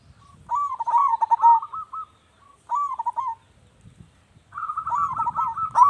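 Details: Zebra dove giving its song to get other doves to answer. Three phrases of fast, rolling coo notes, the first longest, separated by short quiet gaps, with faint low rumbles.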